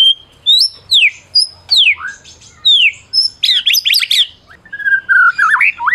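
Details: Prize-winning Medan white-rumped shama, kept caged, singing to rouse silent shamas: a series of loud sharply descending whistles repeated about every half second, then tangled chattering notes and a wavering whistle.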